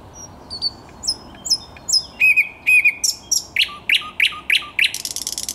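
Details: Thrush nightingale in song on 10 May 2021: high thin whistles and clicking notes build into loud repeated chock phrases, then a fast series of sharp descending notes ending in a dry rattle.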